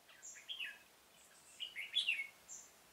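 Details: Caged red-whiskered bulbul acting as a lure at a trap in a pomelo garden, 25 October 2017. It gives a lively run of rich, rolling whistles that climbs toward the end, with faint high chips in the background.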